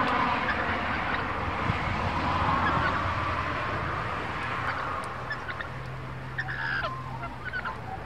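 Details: A lorikeet flock in a tree, discovering food and taking it over from rosellas, gives a dense wash of harsh, rasping screeches and chatter, with a low steady hum underneath.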